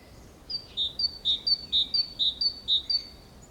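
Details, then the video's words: Great tit singing beside a nest box in Valencia on 24 April 2015, a bright two-note 'teacher' phrase, high then lower, repeated about twice a second over faint hiss. "Canto de carbonero común"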